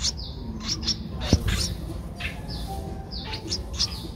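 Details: Young Streak-eared bulbul, 11 days old and eyes open since day seven, Ubon Ratchathani, Thailand, 13 April 2023: short high chirps in small uneven groups, one sharp click midway.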